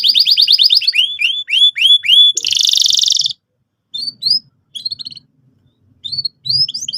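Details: Canary in full song, used to provoke young canaries into rolling; rapid repeated sweeping whistles, a dense buzzy burst, then scattered short high chirps after a brief silence.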